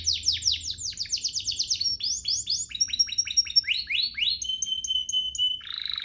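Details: Domestic canary singing, a bird used to prompt other canaries into song: rapid high trills of downward-sweeping notes, then buzzy rolls and thin sustained whistles, ending in a long steady piping tone and a brief harsh burst.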